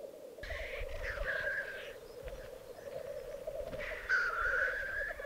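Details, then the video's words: Black grouse lek display in the Piedmont Alps, recorded in 2022. Droning, bubbling cooing carries on unbroken while two long rasping hisses rise above it, one early and one near the end. "Parate dei Galli Forcello 2022"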